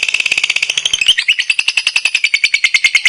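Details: Competition lovebird in an active ngekek: a long, fast, harsh chattering trill of rasping notes, about three per second, the pitch dropping slightly after the first second, then running on steadily.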